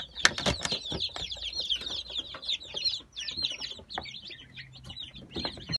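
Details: Brahma chickens from the final 2018 hatch, dated 17 October, fill the space with dense high peeping, quick falling chirps from many birds, plus occasional clicks and knocks.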